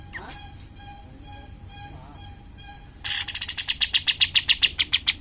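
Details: Cream-vented bulbul, in lively singing form, its song used as a lure to rouse other caged birds: after a quiet start with a steady low hum, a sudden burst of rapid, sharp high notes repeated about seven times per second.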